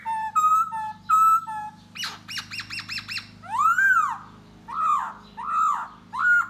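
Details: Courting Da Bò laughingthrush, singing and dancing to lure a female: clear whistled notes, a quick stuttering series, then long arched swooping phrases, with a faint steady hum underneath.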